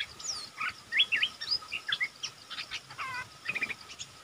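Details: Luring call of a decoy red-whiskered bulbul aimed at a territorial wild bird: a run of crisp, bouncing whistled notes and quick chirps, fairly loud, with light insect hiss beneath.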